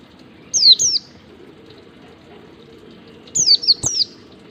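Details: White-eye singing the wild ngalas style used for training captive birds: a pair of bright falling whistles, a pause of nearly three seconds, then a quicker group of three, with soft water noise behind.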